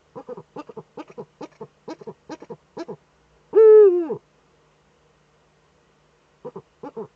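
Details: Female Eurasian eagle-owl in a nest niche in northern Rhineland-Palatinate, Germany, seen scratching on 5 May 2013 by a nest webcam. A long series of soft clicking double notes surrounds a single loud, downward-bending harmonic call.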